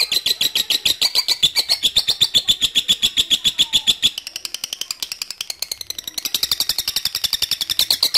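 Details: Calling lovebird answering a rival, played as a lure for long chattering: a rapid, rattling series of shrill notes, briefly softer midway, then rising again into a strong, fast chatter.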